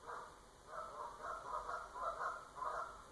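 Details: Geese at 7am giving a run of nasal, two-toned honks, roughly two per second, overlapping in a loose chorus over a steady background hum and a thin constant whine.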